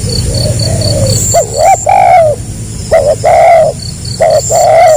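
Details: Spotted dove (tekukur) cooing in the 'gagap rapat selang nguku' style, a tight stuttering song alternating with nguku phrases. Short hooked notes lead into longer mellow, slightly falling coos, in two bursts. A steady high insect buzz runs behind.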